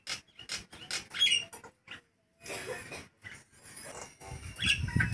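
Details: Nias hill myna calling loudly despite hot weather, in a lure recording: harsh chattering bursts with a few sharp, clear whistles between them; a low rumble of background noise rises near the end.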